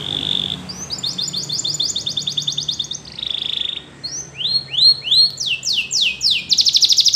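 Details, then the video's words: A singing canary, recorded for song training, gives a rapid chattering trill, a buzzy rattle, swelling upslurred whistles, then fast falling notes and a dense, bright trill. "Canary Singing Bird Sounds At Its Best / Melodies Canary Bird Song"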